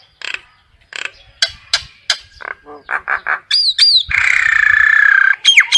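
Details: Common myna calling the flock with a varied medley: sharp dry clicks and rasps, a few gurgling notes, two quick upslurred whistles, then a long harsh buzzy churr ending in more whistles.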